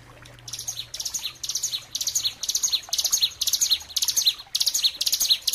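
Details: Bar-winged prinia song used as a master recording for training and luring songbirds: high, bright phrases of quick chirps with sweeping downslurred notes, grouped in bursts of about half a second, separated by short gaps.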